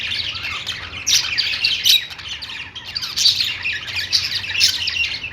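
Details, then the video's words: Pet store budgerigars sing in a dense twittering chorus, loud scratchy chirps swelling in waves roughly every second over a low hum. "budgies singing | budgie sounds"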